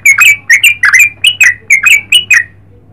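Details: Yellow-vented bulbul in lively song, giving eight quick bursts of bubbly, warbled chirps that rise and fall, packed closely over a few seconds, then stopping, with a faint steady low hum in the background.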